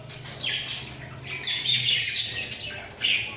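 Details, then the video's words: Softer budgerigar chatter from a pair in a breeding cage bobbing their heads: thin, squeaky twitters and rasping notes over a steady low hum. "Sepasang Burung Parkit Gacor"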